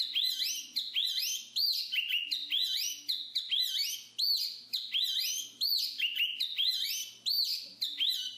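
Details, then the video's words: Jongkangan, the black-capped babbler, pouring out a steady series of bright looping whistles and chirps, short phrases bunched together with brief gaps, over a faint low hum. "BURUNG JONGKANGAN/Black-capped Babble SUPER ISTIMEWA"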